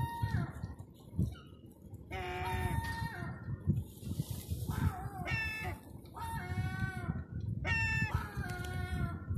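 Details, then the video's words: Hungry seagulls on Terminus Road in Eastbourne town centre, East Sussex, UK, during lockdown, crying for food: loud, stretched, whining calls in a few bouts over heavy low traffic rumble. "Crying for food."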